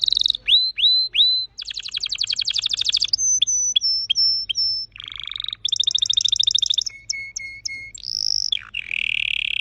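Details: A vivid orange-red red factor canary runs through quick song phrases: dropping whistles, rattling trills, repeated high pips, a low burry roll, and a closing slurred tour.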